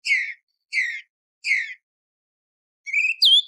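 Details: Song thrush song before sunrise, intended for hunting: one full, fluted phrase sung three times at even intervals, then a rising whistle and a high, squeaky note.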